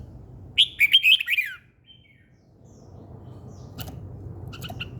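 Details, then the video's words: A bird singing in the morning: one quick, bright warbled phrase of rapid high chirps and trills, about a second long, then a quiet pause and faint distant clicks. "Buổi sáng nghe chim hót chơi"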